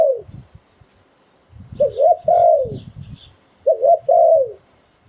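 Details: Thai decoy spotted dove in 'sai phon liw tan' style giving a trailing croo, then two full phrases: paired short coos and a drawn-out descending note. Low knocking thuds are heard underneath.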